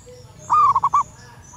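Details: Wild female zebra dove calling to males, a lure call: a brief run of hollow, mellow coos, one longer note then three clipped repeats in under a second, over quiet background noise.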